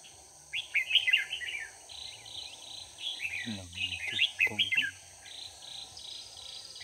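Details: During a 4 March 2019 trapping session, a red-whiskered bulbul acting as a decoy sings quick, jumbled warbling phrases in rapid clusters, while a human voice cuts in briefly midway. A steady high background drone continues throughout.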